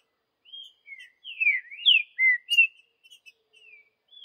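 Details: Wild green-winged saltator giving the Vidigal style of song: a run of loud whistled notes that sweep down and up, with a strong rising slur at the center and softer notes trailing off at the end.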